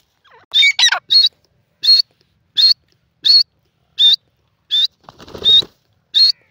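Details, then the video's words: Teetar or francolin calling: a sharp, high, squeaky note repeated about every 0.7 seconds, preceded by a jumbled scratchy phrase, with a brief rustling noise midway through. "teetar ki awaz,the stunning sounds of francolin bird awaaz"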